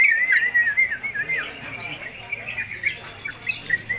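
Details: Sooty-headed Bulbul (trucuk) kept in a cage, delivering a konslet-style song with long duration, fit for tutoring young songbirds: a loud, continuous warbling phrase opening the passage, then softer scattered chirps with some background rustle.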